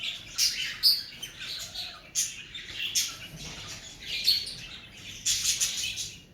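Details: Several cockatiel parrots in breeding season calling with scratchy chirps and squawks in irregular bursts, some sharp peaks rising above the chatter.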